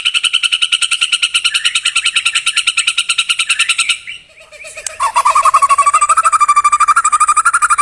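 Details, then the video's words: White-rumped shama song used to lure a pet bird into singing: a long fast trill of repeated notes, a brief lull, then a lower buzzy rising warble with rapid notes. "COBA PANCING MURAI BATU ANDA DENGAN SUARA INI"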